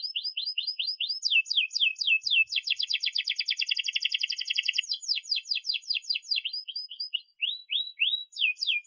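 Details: Long rolling canary song used to teach young canaries to sing. Repeated sharp, falling whistled notes lead into a dense, fast buzzy roll lasting about two seconds, then quick chirps and sweeping notes.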